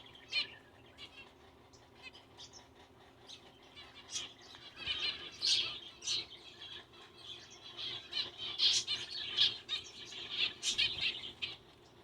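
Zebra finch singing: a quick run of nasal, buzzy notes and little squeaks, with wings fluttering.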